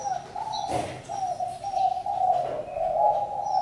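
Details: Steady, hollow coos from a spotted dove flow almost continuously. One short rustling thump comes early, and faint high whistles of other birds sound behind.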